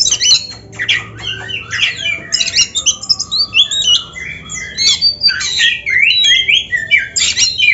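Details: Oriental magpie-robin pouring out a nonstop varied song of squeaky whistles, falling slurs and buzzy harsh notes, densely packed and loud throughout.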